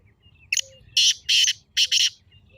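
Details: Single rasping phrase of a black francolin, recorded for playback to pet partridges: a short lead note, then three or four loud, harsh, scraping bursts in quick rhythm, with a few faint thin chirps behind.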